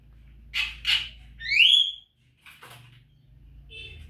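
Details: Javan myna, from a recording used to train caged birds: two rough squawks, then a clear rising whistle, followed by faint scratchy notes over a low background hum.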